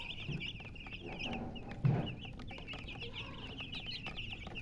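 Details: A group of chicks chirps with high, rapid peeps in a busy chorus, while a louder low-pitched sound thumps in near the two-second mark over a background rumble.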